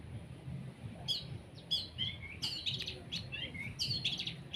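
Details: Long-tailed shrike (cendet) during sunning, a fainter jumble of short whistled and scratchy high notes over a low steady hum.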